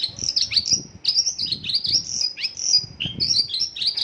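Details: Mongolian lark singing in the isian lokalan style, its song filled with local birds' phrases: fast, bright chirps and slurred whistles, many sweeping downward, run together almost without pause, with faint low rumbling beneath.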